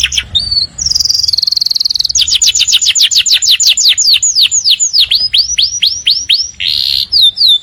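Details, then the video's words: Morning canary song opening with a sustained high whistle and a rapid rattle, moving into a long series of clear downward-sweeping whistles that then rise, finishing with a buzzy note. "Kenari Gacor Panjang | Canaries Singing beautifully in the Morning"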